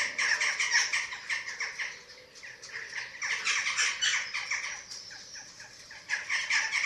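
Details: At a Eurasian eagle-owl nest in Germany, filmed by webcam on 27 March 2024 during chick feeding: fast, scratchy squeals in uneven runs, fading midway and then returning.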